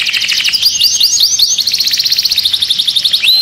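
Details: Excited canary inside the cage singing curved whistled notes, then a rapid rolling trill, ending on a rising whistle.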